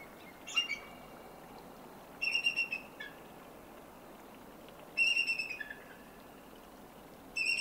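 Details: A female eagle perched in a tree close to a lake in the Canadian Rockies gives high, thin chattering runs of quick stuttered notes, repeated about every two to three seconds over a steady outdoor hiss.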